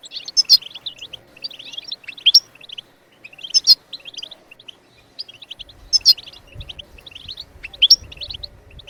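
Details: European goldfinch singing to stimulate other birds to sing, rapid high twitters and loud sharp notes in repeated phrases, with some low rustling toward the end.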